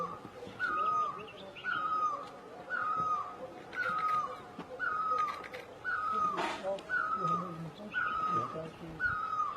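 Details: A great barbet in Asia repeats a ringing, downward-slurred call nearly every second, very even in tempo; a brief broadband rasp cuts in midway and faint low bird notes sit underneath.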